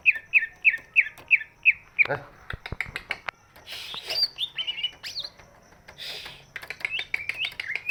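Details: Greater green leafbird with a big body, sung to prompt quiet birds; six repeated looping whistles at the start, then clatter and clicks with scattered faint whistled notes.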